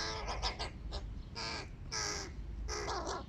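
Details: Hooded crow family at breakfast, the big chicks begging with quick rasping caws, first short clipped notes, then longer drawn-out hoarse calls, over low background rumble.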